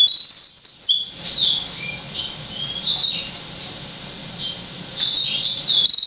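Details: Six-month-old hybrid between Yellow-fronted canary and Black-throated canary opening with loud high chirping slurs, then continuing with softer, scattered whistled notes and short warbles rising again toward the end.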